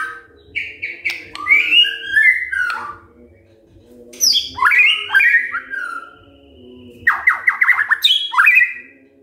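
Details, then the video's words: White-rumped shama's morning song, used to goad silent shamas into singing: varied phrases about every three seconds of whistles, buzzy sweeps and quick falling note chains, with a steady low hum behind. "Pancingan PAGI-PAGI AGAR MURAI GACOR❗ murai diam pasti ikut NYAUT EMOSI❗❗"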